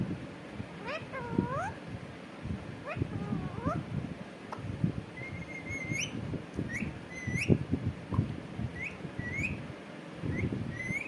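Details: Talking parrot said to be repeating "katore": harmonic upswept voiced calls early on, then a run of short, high rising whistled notes, all over continuous low background rumble and noise.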